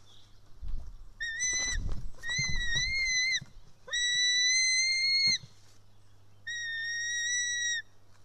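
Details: Estonian white-tailed eagle nest, 4 July 2018 around 1:10 pm, where a chick screams while fed fish: four drawn-out, slightly wavering whistled screams at regular intervals, with scratchy nest movement noises early on.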